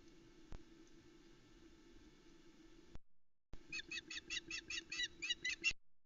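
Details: Osprey at the Loch Arkaig nest on a July 2020 morning, the female calling while the male delivers trout; after a quiet stretch of low hum, a quick run of about ten high, whistled yelps fills the last seconds.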